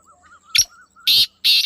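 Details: Brief black francolin call: a sharp note, then two loud harsh bursts, over a soft wavering whistle from another bird.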